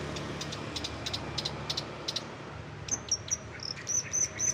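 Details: Long-tailed shrike imitating other birds, recorded as a tutor for contest birds: faint dry ticks at first, then a string of thin, very high whistled notes repeated about every third of a second against hiss.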